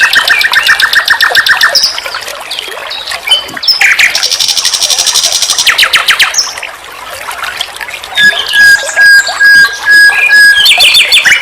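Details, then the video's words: Nightingale song from a master recording used as a vocal tutor for songbirds: rapid repeated trills and buzzy rattles, a scratchy mid-clip burst, then a long pure whistle held steady near the end. "Masteran SIKATAN LONDO || NIGHTINGALE BIRD, Guru vokal semua burung kicau."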